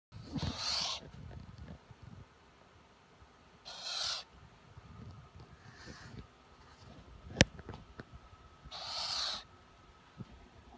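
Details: A Tropical screech owl, apparently indoors and following a computer mouse cursor with its eyes, gives harsh, breathy rasps about every three seconds, four in all, the last long and loud; a sharp indoor click sounds between them.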